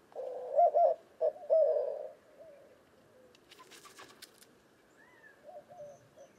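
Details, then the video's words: Cooing white-winged dove gives a loud, low, hollow phrase of stressed notes and a short hoot ending in a long coo, then softer coo fragments follow, with a brief rustle or flutter midway. "White-winged Dove Cooing Bird Sound"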